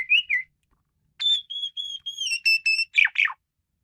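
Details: Frenzied song of an Asian pied starling (jalak suren menggila): a brief slurred whistle, then a string of steady, level whistled notes with bright overtones, ending in two harsh, descending squawky notes.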